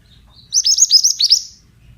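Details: Pied bushchat male, song meant to coax young birds into singing: one quick burst of about seven sharp, high, downward-sweeping chips run together in a second-long phrase.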